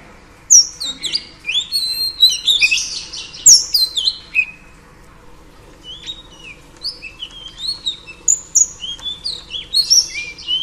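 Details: Female oriental magpie-robin song meant to excite males: bursts of high whistled and chattering notes, a dense flurry early on, then scattered sweeping whistles after a short pause, over steady faint background hum.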